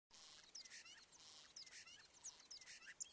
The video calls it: Starling singing